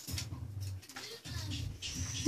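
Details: A pet ringneck (Barbary) dove, kept alone and being petted indoors, gives low, soft, whiny coos in short bursts while a woman talks gently over them. The owner wonders if it whines from being alone.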